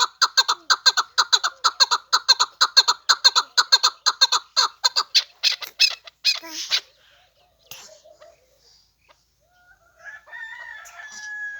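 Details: Chukar partridge, a hunting decoy bird, calling in a fast, regular run of loud clucking notes about twice a second for six seconds, then quieter scattered notes and faint background noise.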